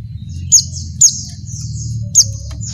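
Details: A female Oriental white-eye in breeding condition calls to a male, giving three sharp, very high chirps with thin buzzy trills between them, over a low rumbling background hum.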